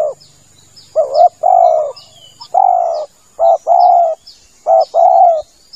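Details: Spotted dove lure call used for hunting from a hide: a short hoarse note, then a longer mellow coo, in groups about a second apart. Faint high chirps from small birds and a steady thin hiss run behind.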